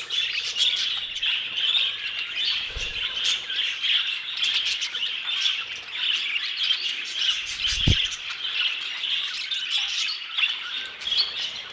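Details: Constant twittering from a crowd of aviary budgerigars, high and dense with clicking, chirping notes throughout, and a couple of dull low knocks in the background.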